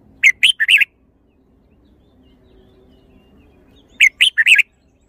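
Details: Red-whiskered bulbul singing the same lively four-note phrase twice, about four seconds apart, each made of quick bright whistled chirps ending in a rolling flourish, in a quiet setting.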